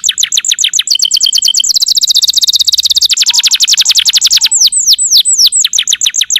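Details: Canary singing a dense, fast trill of high sliding notes that speeds into a rapid rattle and ends in slower looping downward whistles, meant as a master recording for training other birds.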